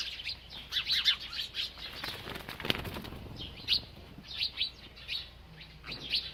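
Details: High chirps from a bird while it eats, broken midway by a noisy flutter of flapping wings, then more scattered sharp notes.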